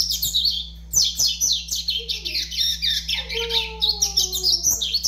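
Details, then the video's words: Five-month-old double-collared seedeater, kept as a caged bird, delivering fast, scratchy high twitters and slurred notes almost without pause; a few lower drawn-out whistles join midway over a constant low hum. "FILHOTE DE COLEIRO AVAX 5 MESES DE VIDA"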